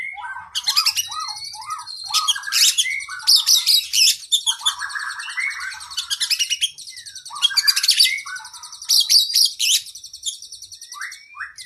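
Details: Rich training song of an oriental magpie-robin for cage birds, mixing fast buzzy trills, rattling bursts and short sliding whistles in busy overlapping phrases that continue with little pause.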